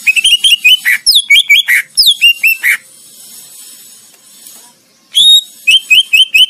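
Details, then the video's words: Song of a greater green leafbird, played for training songbirds for competition: rapid runs of bright, high chirping notes, about two each second, broken by a two-second soft hiss before the chirping resumes. "Masteran Cicak Ijo Buat Lomba"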